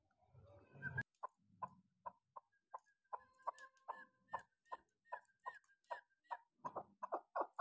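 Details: Six-month-old hunting chukar partridge calling in spaced, clucking notes about two per second, growing louder toward the end, after an opening thump and rustle.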